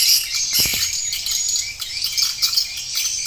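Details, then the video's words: Swiftlet lure-call recording with added roosting and pulling sounds to draw birds into a swiftlet house: a dense, continuous, high-pitched twittering chorus of overlapping chirps, with a brief low thump near the start. "SUARA PANGGIL WALET"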